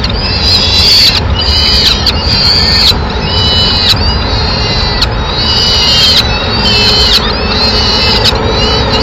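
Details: Madrid peregrine falcon nest, 27 April 2016, female entering to seek scraps for her chicks; loud series of long, wailing harmonic notes about a second each, with a persistent low rumble beneath.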